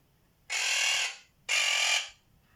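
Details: Quaker parrot giving odd noises: two drawn-out, harsh, buzzing squawks, each lasting over half a second and separated by a short gap, loud and rough against a quiet background.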